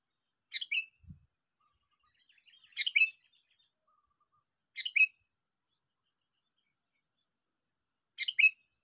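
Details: Sooty-headed bulbul taken by luring, during day six of competing: four short bubbly phrases spaced two to three seconds apart, each a high note dipping into a warbled slur. One soft low thump is heard early on.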